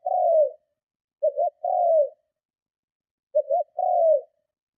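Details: Spotted dove calling with strong cooing to lure and provoke other doves: a long falling coo, then two more phrases of two short hoots plus a drawn-out coo.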